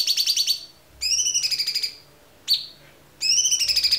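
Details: White-rumped shama tembakan song: short bursts of high, fast trills alternating with loud downslurred whistles and quiet gaps of about half a second.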